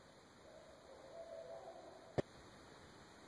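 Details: Great horned owl at night in a backyard, one of several owls communicating, some far away and one close by; a single drawn-out, mid-pitched wavering call lasting about a second and a half, followed by a sharp click over steady background hiss.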